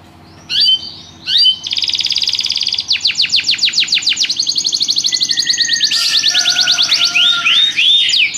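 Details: Canary song in striking rhythm, opening with two short whistled notes, then a dense buzzy roll followed by evenly pulsed, rapidly repeated trill notes and sweeping high slurs.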